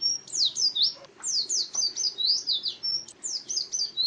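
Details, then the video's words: Oriental white-eye singing in the wild-type ngalas style: rapid high, thin twittering with quick descending and rising slurred notes in dense bursts, brief pauses between phrases, faint low background hum. "Suara Burung Pleci Ngalas Burung Kacamata Durasi Panjang"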